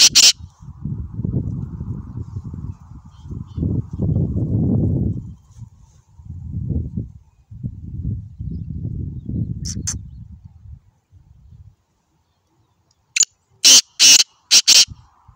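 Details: Black francolin call from 22 April 2021. Low rumbling noise comes in patches, then a quiet gap, then a quick series of four loud, harsh, scratchy notes near the end. A single rasping note sounds at the start and another in the middle.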